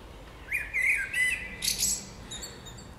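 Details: Springtime birdsong, one bird's rising whistled phrase turning into a rapid chattering warble with buzzy high notes, then quieting to soft distant twitters.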